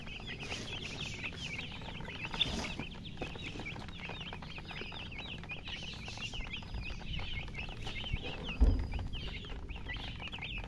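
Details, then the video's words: Domestic chicks calling together, a steady stream of shrill, brief falling peeps from many birds, with a low background hum and a sharp knock near the end. "Baby "Chicks Chirping" Sound"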